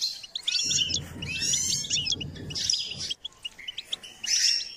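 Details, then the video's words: Goldfinch singing as part of training: rich, rapid twittering phrases with buzzy trills, low background rumble through the first three seconds, then sparse sharp chirps and a final twittered burst. "Step by step enhancing the goldfinch’s singing"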